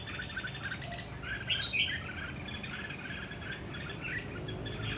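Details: Caged red-whiskered bulbul kept in a tall square cage, singing in the energetic rồ ché style: quick bright chirps and short whistled slurs in a loose run, over steady low background noise.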